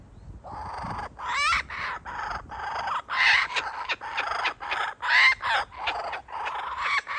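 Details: A father kookaburra teases a waiting chick with food before feeding it, though he may have been offering it to his partner; a loud, harsh, chuckling cackle of rapid throaty notes comes in uneven bursts, building and fading over several seconds.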